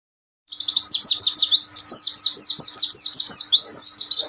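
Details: Oriental white-eye song in the ombyokan style, a master recording for training young birds: a dense, fast run of high, sliding chirps that sweep down and up, packed together without pause after a short silence.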